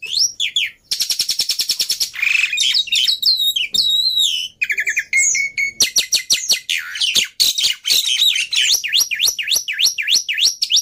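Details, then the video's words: Black-winged myna in full, continuous song, used to prompt silent mynas to sing: a varied medley of clear rising and falling whistles, rapid clicking rattles, and harsh notes, with sweeping slurred phrases toward the end. "Burung Jalak Putih Gacor || Cocok Buat Pancingan Burung Jalak Mandek | Macet Bunyi"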